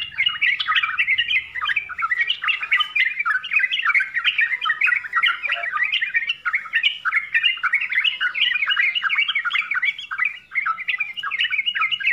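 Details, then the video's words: Long run of Yellow-vented bulbul song in a full 'full isian' style: rapid, lively chattering warbles and squeaky notes poured out almost nonstop, one short dip near ten seconds. "SUARA TRUCUKAN FULL ISIAN"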